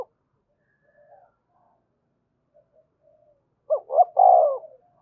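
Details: Spotted dove, 'thúc gù' cooing played to stimulate and train birds: mostly quiet with faint murmurs, then one clear low phrase near the end, two short hoots leading into a longer trembling coo.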